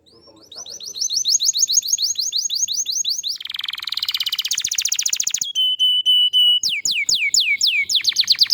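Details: Long canary song meant to stir other canaries into singing: rapid repeated falling chirps, a dense buzzy rolling trill, a clear sustained whistle, and loud descending sweeping whistles to close.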